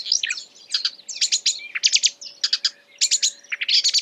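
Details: Marsh warbler singing while imitating other birds: a fast, varied run of short high chirps, trills and whistled notes, sudden changes of phrase, with a faint steady hum underneath.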